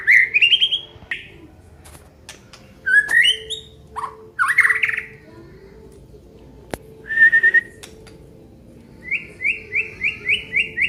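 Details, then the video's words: Aceh white-rumped shama showing its isian fill-ins: separate bright whistled phrases, some rising and some flat, spaced by pauses, then a fast series of seven short upslurred whistles. A faint background hum is heard throughout. "FULL KICAUAN BONGKAR ISIAN MURAI BATU ACEH"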